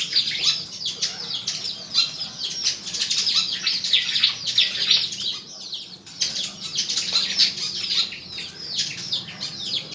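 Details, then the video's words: Song-contest performance by a white-throated fantail, Tân Qui, Củ Chi, Vietnam; two long runs of dense, high jingling twitters separated by a brief break, with thin slurred whistles woven through. "Sẻ quạt hót đấu"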